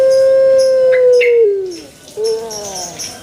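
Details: Pelung chicken crowing: a long, loud, steady tone held for about a second and a half, then sliding down and fading, followed by a shorter wavering rise and fall.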